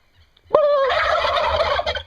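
A turkey gobbles once, a sharp onset breaking into a loud, rapid, rattling gobble of about a second and a half that trails off at the end.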